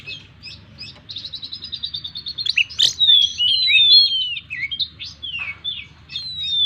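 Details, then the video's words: Kept Oriental magpie-robin in energetic full song, used to prompt other birds: fast repeated chattering notes give way to long clear whistles, a sharp click and slurred descending phrases, over a low background rumble. "burung Kacer gacor full isian"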